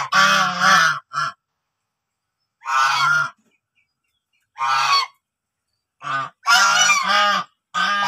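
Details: Farm-kept white domestic geese, a mating pair that have begun laying eggs, honk in loud, harsh, nasal bursts of about half a second to a second, in irregular groups with short silences between.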